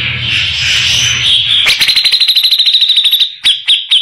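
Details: Harsh-voiced grey-cheeked bulbul, recorded as tutor song for white-rumped shamas: a low hum gives way to a fast even trill of high chipping notes, ending in three separate sharp calls.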